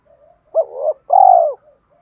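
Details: Single spotted dove coo used to lure and train other doves: a short swelling note followed by a longer, loud, tremulous coo that fades at the end, with silence around it.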